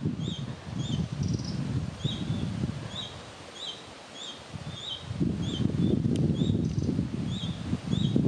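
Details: A juvenile red-breasted flycatcher in Chiemgau gives thin, high chirps, repeated every half-second or so, over steady low rumbling wind noise.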